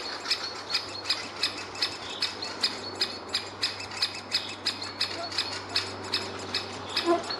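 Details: Great spotted woodpecker nestling calling at the nest hole with a parent nearby: sharp, high, noisy calls repeated steadily about twice a second, with a low steady hum underneath.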